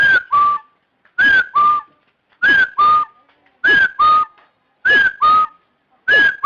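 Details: Repeated two-note whistled call of a partridge: a bending first note followed by a steady lower whistle, the pair given six times at a steady pace of roughly one per second, loud and somewhat distorted.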